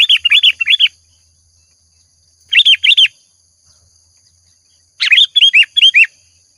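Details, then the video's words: Actively singing sooty-headed bulbul (kutilang) as lure audio: three bursts of bubbly, repeated chirping notes, each under a second long and separated by pauses of one to two seconds, over a faint high background tone. "Suara Pancingan Burung Kutilang Gacor"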